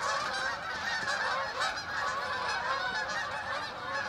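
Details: A V formation of geese passing over Oakland, many birds honking at once in a steady, overlapping stream of loud nasal honks.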